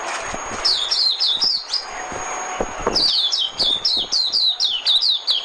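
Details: Trapping decoy recording of a white-eye: a short twitter, a pause, then a sustained rapid series of high, falling chirps, about four notes a second.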